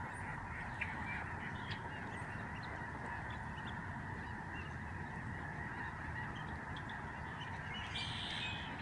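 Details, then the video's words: A massive flock of Lesser Snow Geese passes across the sky above a Canadian migratory bird sanctuary in November 2011. Countless overlapping honking calls merge into a continuous, even babble throughout. "Spectacular flock of Snow geese in the sky"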